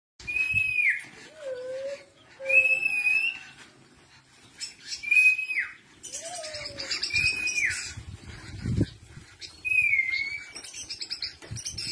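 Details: Long-tailed shrike song: clear, slightly falling whistled phrases around the upper-middle register repeated every two to three seconds, mixed with harsh scratchy bursts and a few lower slurred whistles.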